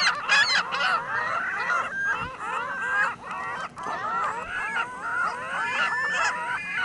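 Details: Flock of gulls on a Michigan City parking lot calling all at once: harsh, downslurred squeals and yelps overlapping in a steady, noisy chorus with no gaps.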